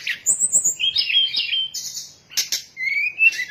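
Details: Sooty-headed bulbul lure song played to draw birds in for capture; high whistled and buzzy phrases, a rising slur near the end, and faint low thumps underneath.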